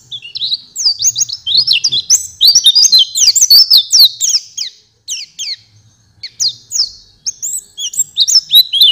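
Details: Master song of an Oriental white-eye for training cage songbirds: bursts of fast, high, thin chirping and slurred twitters, a short lull midway, then another run of rapid sweet notes.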